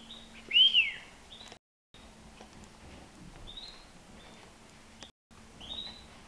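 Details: European goldfinch, nine months old, loose in a living room; one loud arched slurred note near the start, then a few soft rising single calls spaced apart, over a quiet low hum.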